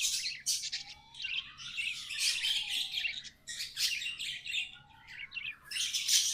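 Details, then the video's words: Budgies, tame pets, singing: nonstop rasping, chattering warble of squeaks and buzzes, with soft whistled arcs rising and falling beneath it. "Budgies amazing love & singing 🎵 sounds"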